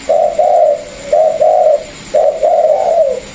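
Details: A spotted dove in a cage, from a Vietnamese pair made up of a decoy-trained bird and a newly captured wild bird, coos in paired low notes repeated about once a second, evenly spaced.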